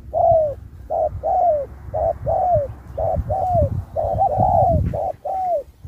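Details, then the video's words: Spotted dove singing at a 2024 contest, song style 'Thúc' with 'Bo', varying its phrases like a wild bird: round mellow coos in short-long pairs, roughly one per second, with low handling thumps beneath. "Bài lối Thúc kèm Bo tráo trở nước như chim ngoại"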